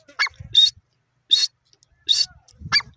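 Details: Teetar, a francolin, gives four loud grating notes at uneven spacing over three seconds, with low rumbling handling noise between calls.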